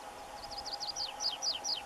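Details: A tree pipit (Anthus trivialis), recorded on the first visit of a 2021 common-bird monitoring survey, sings a quick series of high, thin, downslurred notes, about four or five per second, over a steady low mechanical hum.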